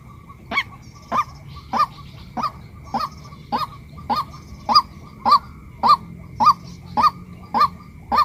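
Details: Long run of female white-breasted waterhen calls: fourteen short, hooked honking notes in a very regular rhythm, just under two per second, over a steady low hum.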